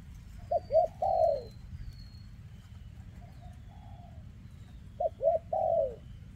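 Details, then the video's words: Spotted dove with a leg defect, from 2024, giving two phrases of paired short coos and a longer descending coo, with a soft level coo between and thin high whistles of other birds faintly behind. "Chú Chim Có Tặt Có Tài , Siêu Phẩm 2024 Kèm Rước Siêu Dầy ( Chim Bị Rẩy Giò )"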